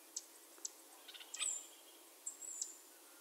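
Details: Sharp-billed treehunter giving very high, thin notes: a few sharp ticks, then drawn-out high whistles that dip slightly, with quieter short notes and clicks between them.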